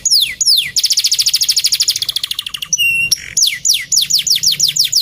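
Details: Lively male canary song, used as a master recording for training: two long down-slurred whistles, then a rapid even trill, a short steady ringing note, and a series of quick descending sweeps repeated about twice a second.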